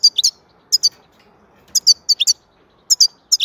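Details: European goldfinch song of bright, high twittering notes in tight clusters of two to four, repeated every half second or so against near silence.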